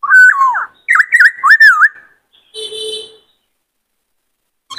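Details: White-cheeked laughingthrush in varied song for training and exciting males: a looping, warbled whistle, a quick series of wavy whistled notes, then a harsher buzzy note and quiet.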